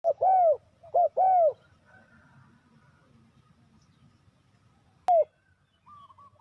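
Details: Spotted dove calling as a lure to draw wild doves in for trapping: three mellow arched coos in quick succession, a pause, then one falling coo, with faint chirps from other birds behind.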